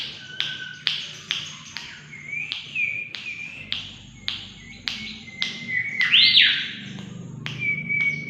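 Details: Lure recording of a mangrove whistler singing lively: a run of short whistled notes and sliding phrases, broken by sharp clicking taps roughly twice a second, with one strong rich burst near the end.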